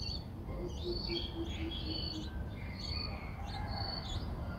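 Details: Streak-eared bulbul, six days old, recorded in Ubon Ratchathani, Thailand, on 8 April 2023. Short, high, sliding chirps come in quick bursts, with fainter lower notes and constant low-pitched background hum.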